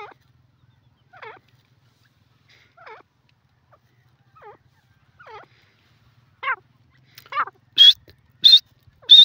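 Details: Francolin (teetar) calling with soft wavy squeaky notes at uneven intervals, then a closing run of three loud, high, piercing whistled notes, in an otherwise quiet setting.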